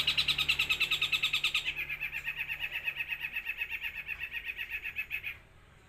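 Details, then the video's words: An eight-month-old long-tailed shrike from Jember, East Java, runs its imitations of gereja, kuntilanak and tengkek buto together in one breath: a fast, steady, chattering trill that drops a little in pitch midway and stops abruptly. "CENDET USIA 8 BULAN MATERI SATU NAFAS GEREJA KUNTILANAK TENGKEK BUTO"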